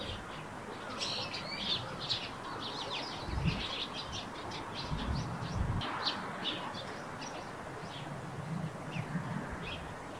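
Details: Eurasian tree sparrows near a nest on a roof, with a flock feeding nearby; a run of short chirps high in pitch, busy and overlapping, over steady outdoor background noise and some low rumbling.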